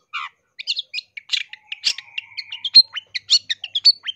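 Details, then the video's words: Long-tailed shrike delivering a busy, varied masteran for training caged birds and luring: fast chatter of short chirps and scratchy notes, nearly two per second, over a thin sustained whistle in the middle. "MASTERAN CENDET GACOR FULL ISIAN"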